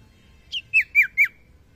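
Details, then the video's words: Common iora (sirtu) giving four quick, sharp whistled notes, each dropping in pitch, about a quarter second apart, otherwise quiet; presented as an aroused male calling a female. "Suara burung sirtu mania panggil betina"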